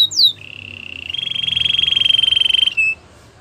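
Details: Gloster canary delivering a quick downward slur followed by a long, steady rolling trill that swells in loudness, closing with a short clipped note.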